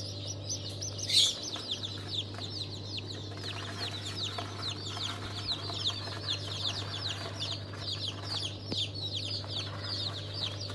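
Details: Fresh hatch of chicken chicks, among them Legbar, Rahibe and İspenç types, March 2023, producing a continuous overlapping chorus of thin high peeps with a droning machine hum beneath.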